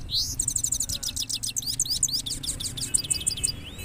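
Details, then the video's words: Goldfinch in two-step rolling song, a continuous high twitter of rapid repeated chirps and buzzy trill segments, shifting note patterns every second or so, with a low background hum throughout. "two step singing of gold finch rolling"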